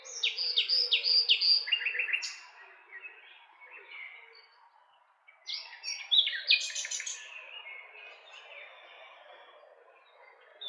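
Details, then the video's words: Common nightingale singing two rich phrases of rapid repeated notes, sharp rising whistles and dry trills, separated by a short pause, with faint background birdsong throughout. "Cantec de privighetoare - Nightingale's song"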